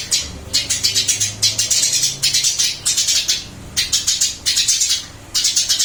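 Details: Eurasian tree sparrow still singing hard after a change of cage: long rapid volleys of sharp, high chirps in bursts with short breaks, and a faint low drone underneath.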